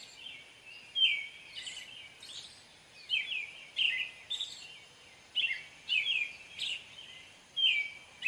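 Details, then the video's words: American robin singing a series of short, clear caroling phrases around mid-high pitch, each slurred and warbled, with thin squeaky high notes mixed in, phrases spaced irregularly about every half second to second over light background hiss. "American robin bird call / song / sounds"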